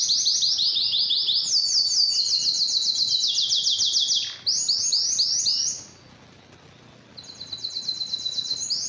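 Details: Canary song with loud, fast high trills for about five seconds, a short sweeping downward note, a pause with near silence, then the trilling resumes, building in volume.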